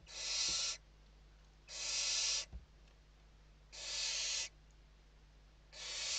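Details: Western barn owl nest interior in Spain during evening feeding, 29 November 2023: rasping hissed screeches of under a second each, repeated roughly every two seconds, with a low hum and faint knocks.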